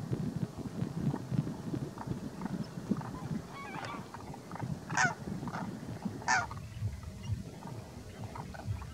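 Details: A large flock of greylag geese, among thousands of geese and demoiselle cranes at Didwana, Nagaur, Rajasthan, India, gives a steady din of low, overlapping honks and gabbling, with a few louder, harsher honks standing out.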